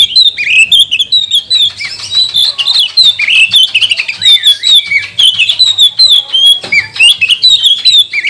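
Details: Magpie-robin song used as a lure to provoke other magpie-robins into singing, fanning their tails and getting agitated: a dense, rapid stream of varied whistles, trills and chattering notes, continuous and loud throughout, with a faint low hum underneath.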